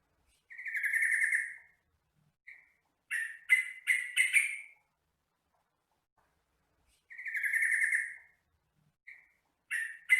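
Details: Sooty-headed bulbul song used as tutor material for captive birds: a bubbly, burbling phrase followed by a brief pause, then a cluster of short, chattering notes, the whole sequence repeating after a few seconds of quiet.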